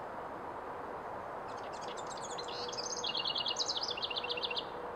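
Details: Bubbly song of a House wren: soft scratchy notes build into a louder, rapid, rattling trill of high notes over about three seconds, with a steady low background rumble throughout.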